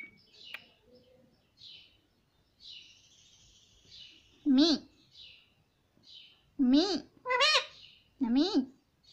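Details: Talking Indian ringneck parakeet that speaks "Mummy" and "papa". Soft background murmurs and faint sounds are followed by four short, loud, nasal phrases with sharply bent pitch, clustered in the final few seconds.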